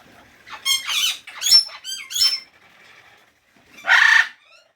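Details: Parrot producing a quick series of ringing, harmonic chirps and squawks, a pause, then one broad, harsh screech, in a quiet setting.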